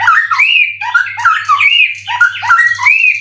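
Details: Prize-winning captive white-rumped shama in Indonesia, said to be in near-peak contest form with song material full of cililin imitations, delivering a continuous rich warble of quick rising and falling whistled notes, with a constant low hum beneath.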